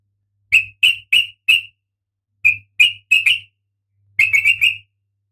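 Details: Breeding-condition female oriental magpie-robin calling for the male, giving clusters of sharp, bright chipping notes in groups of four, with a faint low hum beneath.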